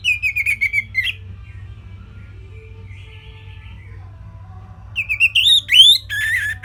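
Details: Simple tutor song of an Orange-headed thrush, recorded for songbirds to imitate: a rapid burst of clear whistled notes, a pause of about four seconds with low hum, then a further run of rising, warbled whistles.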